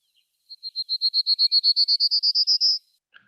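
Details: Prairie Warbler, a bird of grassy shrubland and reclaimed strip mines that sings from bush tops, singing about seventeen thin, buzzy notes, about seven per second, climbing from low to a high finish.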